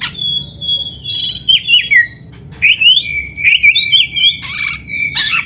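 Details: Oriental magpie-robin (kacer) in full song, a master recording for training other magpie-robins to sing: clear whistled phrases sliding up and down, with short buzzy bursts between notes and a faint low hum underneath.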